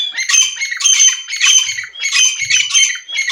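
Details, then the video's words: Iranian partridge coaxed into calling by whistling, pouring out loud, continuous grating squawks in rapid overlapping bursts, rough and raspy throughout, with faint low thumps beneath. "ایرانی تیتر کی اواز"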